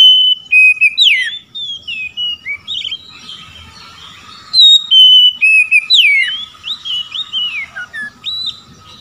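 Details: Oriental magpie-robin challenging rivals with loud ngeplong song: two bright phrases, each opening on a level whistle and then tumbling into falling slurs and chirps, with a faint steady hum behind.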